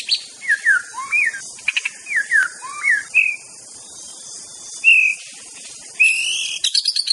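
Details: Aceh white-rumped shama singing loud slurred whistles that drop and curl, given in paired phrases, with short clicks between and long level whistles later, finishing with quick high notes against a constant faint background hiss.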